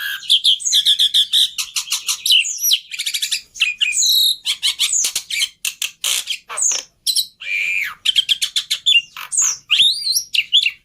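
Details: Jalak putih (black-winged myna) tutor song, easy-to-copy material: dense, fast medley of sharp chirps, rising and falling whistles and rattling clicks, barely pausing.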